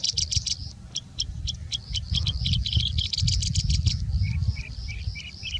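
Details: Singing Bushlark in India singing with mimicry of other species, a fast stream of high staccato notes and trills that shifts midway into lower, spaced whistled phrases, with steady low background rumble.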